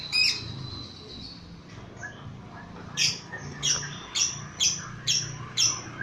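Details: Lovebird, agitated by a lure recording, giving a shrill squawk, then a series of sharp, high chattering notes spaced roughly every half second over a low background hum.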